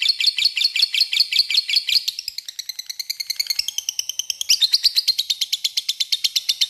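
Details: Lure recording of a lovebird's long ngekek meant to call a rival, a shrill rattling chatter of quick repeated notes that dips in pitch near the middle, then rises and continues without a break.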